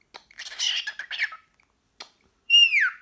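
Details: A male pet cockatiel, hyperactive and talking to a sock indoors, chatters in a burst of harsh, scratchy warbles, then gives a single clear whistle that slides downward.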